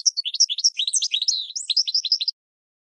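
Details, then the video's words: Goldfinch twittering for cage-bird training: a quick, varied phrase of bright high chirps and slurred notes lasting a little over two seconds, then silence. "Goldfinch 12h Excellent for Training"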